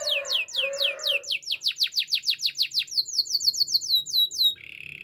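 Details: Spanish Timbrado canary song for training, a long series of bright descending swoops repeated rapidly, speeding into tighter high sweeps, then breaking into a steady lower buzzing roll.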